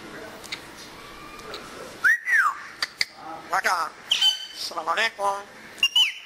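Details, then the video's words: Pet African grey parrot enjoying the weather indoors, giving short bursts of arched, looping whistles interspersed with buzzy speech-like syllables and sharp clicks. "Talking African Congo Gray Parrot - Urdu & Pashto"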